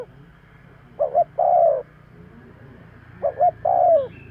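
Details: Spotted dove call played to lure birds: two phrases of a quick double hoot leading into a drawn-out descending coo, separated by a pause of over a second, with faint low background hum.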